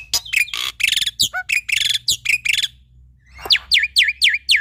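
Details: Male Javan pied starling in full, energetic song used as a training recording for young starlings: harsh buzzy bursts, then a series of sharp downward-swooping whistles repeated rapidly.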